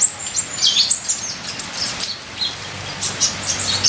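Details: Ninja sunbird in full-fill song, used as a training and lure recording over rain sounds: thin, very high chirps and short sharp twitters scattered irregularly, with soft steady rain patter beneath.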